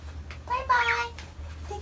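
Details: A male pet cockatiel, which sadly says bye-bye when its owner goes out, gives a single drawn-out, slightly falling voice-like call like "bye-bye" over a low indoor hum.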